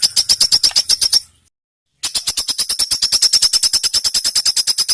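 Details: Master song for tutoring competition songbirds, full of tight rapid phrases; a fast even train of sharp high ticking notes, broken by a one-second gap, then resuming at a quicker pace.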